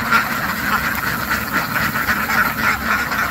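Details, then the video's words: Many ducks quack together, their harsh nasal calls merging into a continuous rhythmic babble that throbs about twice per second. "SUARA BEBEK WEK WEK SUARA BEBEK KWEK KWEK KWEK KWEK SUARA BEBEK ANGSA SUARA BEBEK KETAWA DUCK SOUND"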